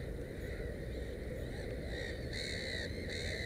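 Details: Black-headed gull at a nest holding three chicks; after a quiet start, a few drawn-out, grating calls with rich harmonics arrive in quick succession over low constant rumble.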